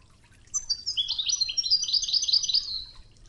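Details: European goldfinch in Wejdani song style, recorded as a 'toughza' training piece over river water murmur: one dense, continuous burst of fast, tinkling, jumbled twitters lasting about two and a half seconds.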